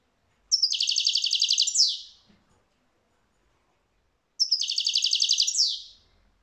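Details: European goldfinch singing: two bursts of rapid, high, buzzy trills, each about 1.3 seconds long, with a short swirling opening and separated by roughly two seconds of silence.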